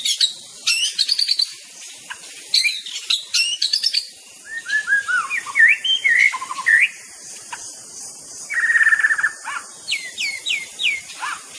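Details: White-rumped shama from Indonesia sings a loud, melodious, varied medley of clear rising and falling whistles, sharp clicks and a brief buzzy rattle, delivered in quick, changing phrases.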